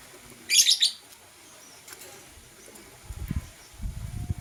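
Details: Blue and green lovebirds in the morning giving one short burst of harsh, high chirping, followed by soft low thumps and rustling.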